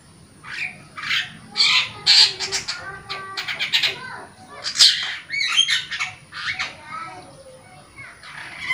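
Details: Energetic long-tailed shrike song meant to stimulate caged shrikes that have stopped singing; a busy, varied run of rasping and chattering notes with quick clicks and short whistled slurs, almost without a break.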